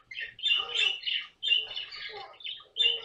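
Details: A pet caique gives harsh, raspy squawks in three quick bursts over three seconds, loud and shrill with grating, chattering edges.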